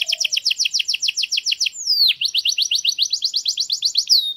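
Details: Canary tutor song, error-free, for teaching young chicks: quick rows of rising slurred notes, a single falling sweep near the middle, then another rapid run of bright upslurred notes.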